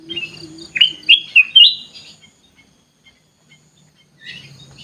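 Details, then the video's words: Sooty-headed bulbul singing in an aviary: one lively phrase of several rapid, liquid, up-slurred notes, followed by quiet. A faint second burst of chatter comes near the end over a low background hum. "kutilang emas gacor cor cor"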